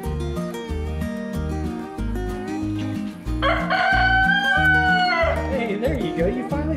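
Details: A big rooster at a farm in Brookshire, Texas, in autumn, gives one long, strained cock-a-doodle-doo crow that trails off at the end, over steady upbeat background music.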